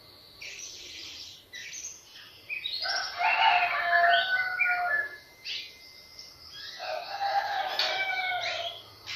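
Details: White-rumped shama singing as a lure to set other birds off: varied phrases in three loud bursts separated by short pauses, mixing rich lower whistles with high chirps.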